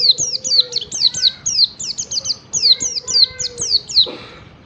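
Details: Morning 'ngalas' song of a yellow-breasted Oriental white-eye, used to set other white-eyes singing: a continuous stream of high, sharp falling whistles, some with lower harmonics, over a faint mid-pitched drawn whistle.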